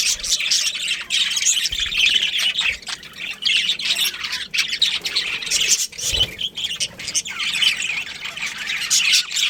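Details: Budgerigars of a breeding pair in a colony, chirping: a dense, continuous chatter of warbled, scratchy high notes and short squawks from several birds, with no pauses and a few low knocks.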